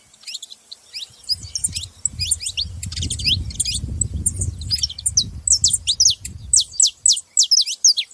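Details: A flock of saffron finches twittering: busy overlapping chirps over a low rumble in the middle, then a clean series of sharp, falling high notes repeated in quick succession.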